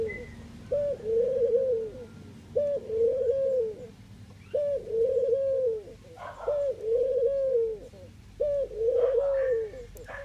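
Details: Eurasian collared dove from the Netherlands cooing: a short clipped note followed by a long, low, gently wavering coo, repeated about every two seconds in a steady series of five phrases, with faint high chirps from other birds in the background.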